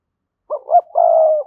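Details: Spotted dove calling to lure rival males to come and fight: a clean cooing phrase of two short rounded notes followed by a longer, steady drawn-out coo, with a silent background.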